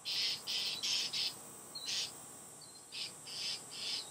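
Northern mockingbirds give harsh, raspy chatter notes in quick bursts, several a second, as they mob an owl.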